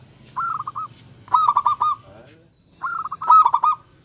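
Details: Vigorous local zebra dove song, meant to anger rivals and raise their breeding drive: three separate phrases of fast, bubbling coo notes, each lasting about half a second, with short silences between.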